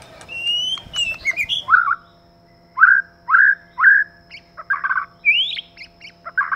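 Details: Male and female white-rumped shama singing together: bright whistled notes and slurs, then a run of short, rich rising-falling whistles repeated about once a second, ending with upswept whistles. A low steady hum lies underneath.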